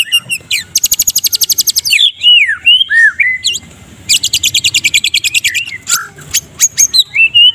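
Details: White-rumped shama of the Medan type in a loud, tightly packed morning kretekan: long bursts of rapid buzzy high rattles alternating with whistled down-slurred and upswept notes, used as masteran to train other songbirds.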